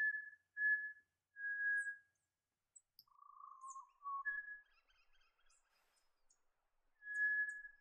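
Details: A pied butcherbird in wooded ridge country of the New England region, NSW, Australia, gives its clear call: pure, flute-like held whistles on one steady pitch, with a lower drawn-out note midway and faint twittering behind.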